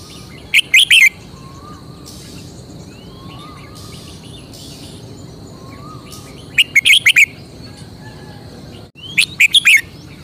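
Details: Red-whiskered bulbul in a cage, showing off its distinctive song: three separate short bursts of bright, warbled notes spaced several seconds apart, with soft, distant rising whistles from other birds between them.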